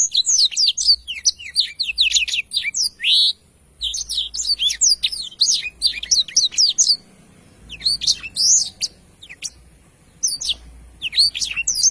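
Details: Black-throated canary delivering long, fast phrases of high twittering and sliding whistles, broken by brief silences, then resuming in short bursts.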